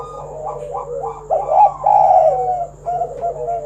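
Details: Spotted dove singing 'kuk 1' style to prompt other doves to call; quick stepped short notes build into loud, sustained, rounded coos with softer sliding notes after, over a steady low hum.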